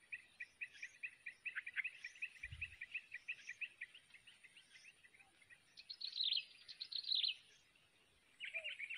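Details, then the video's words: Nestling sooty-headed bulbuls in the wild begging while a parent feeds them: a fast, busy run of thin, high chirps, swelling into a louder, denser burst near the end before settling back. "temukan burung trucukan sedang meloloh"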